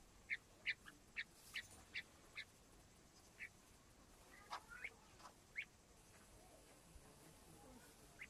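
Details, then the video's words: Small young partridge chicks peeping: short, high, thin chirps given irregularly, about a dozen over eight seconds, some in quick pairs, over a steady faint background hiss. "yavru keklik sesi (küçük yavru) fry partridge sound"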